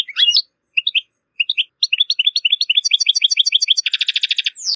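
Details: European goldfinch (Carduelis carduelis), song.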